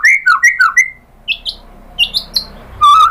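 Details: White-rumped shama lure song with filler material: four paired whistles swinging down, a pause, high short chirps, then a sustained lower whistled note at the end.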